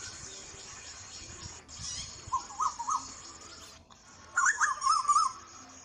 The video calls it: koyal ki awaz | cuckoo bird singing songs sound , Asian koel bird singing sound